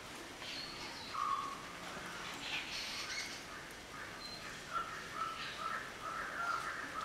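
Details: Black-headed oriole (Oriolus larvatus), a striking bird with a bright yellow body, black head and flesh-coloured beak, gives brief, liquid whistled notes at a mid pitch, spaced a second or so apart, over a steady hiss of background noise.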